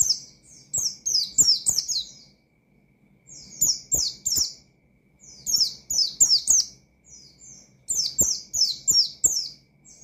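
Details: A white-eye in full ngalas song, used to trigger aggression in rival white-eyes. Four bursts of rapid, high, descending whistled notes are separated by short silences. Faint clicks are audible low down.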